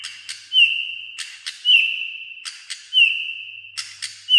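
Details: White-rumped shama, said to sing almost all day in many voices while in singing condition; clear whistled notes held level, each preceded by sharp clicks, repeated about every second and a quarter.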